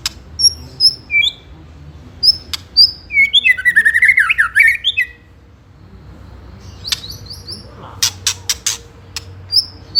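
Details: White-rumped shama song in the ketrekan style, meant to make rival birds respond: sparse high whistles and clicks, then a fast warbling rattle of jumbled notes, followed by sharp clicks.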